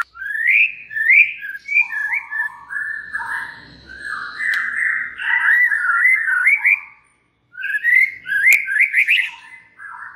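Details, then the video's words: White-rumped shama song aimed at prompting other shamas to sing: a quieter, rambling warble of fluty whistles and scratchy twittering notes, running almost continuously with one short gap. "99% murai JENIS APAPUN pasti NYAUT EMOSI dan GACOR berkat kicau Murai batu ini"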